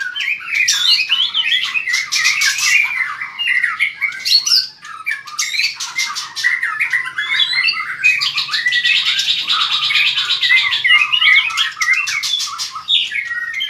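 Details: White-rumped shama, a caged bird in fierce competitive singing with strong tail-flicking, delivers a long, loud, varied run of whistles, rich warbles and harsh buzzy bursts, nearly continuous across the whole stretch.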